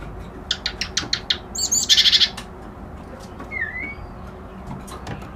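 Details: Reed warbler song: a quick series of dry ticking notes leads into a loud, buzzy rattling burst. After a pause comes a single soft whistle that falls, then rises.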